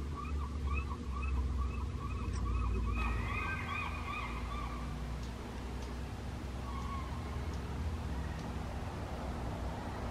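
Peafowl give a rapid run of nasal, arched honking notes, about four a second, that fades after three seconds, over heavy low rumble.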